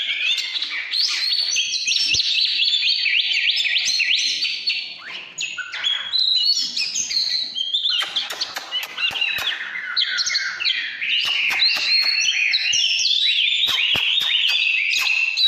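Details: Oriental magpie-robin in extended 'căn lửa' song, cascades of stepped whistles and fast trills, roughly three notes a second, punctuated by sharp snapping clicks.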